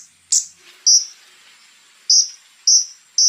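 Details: Scarlet-backed flowerpecker giving sharp, very high chips spaced about half a second to a second apart, part of a rough-burst song.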